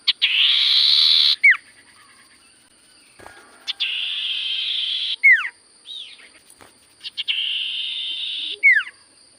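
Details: Sirtu cipoh singing in full voice: long harsh buzzy bursts alternate with sharp downslurred whistles, and a faint steady high electronic hum runs throughout.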